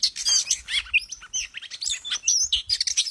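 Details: An oriental magpie-robin's song used as a lure: a continuous, jumbled stream of rapid twittering and scratchy notes mixed with short whistles, about two elements per second, with no pauses.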